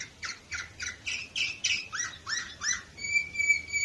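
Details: Canary from Varna, Bulgaria, 2018, repeating evenly spaced chirping syllables about three per second, some sliding downward, then holding a long steady whistled tone.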